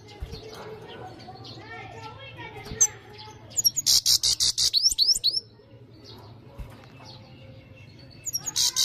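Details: European goldfinch singing loudly: soft lower warbled notes give way to a fast, high, rattling burst of ringing pulses and upswept twitters, then a pause and the start of another high bright burst.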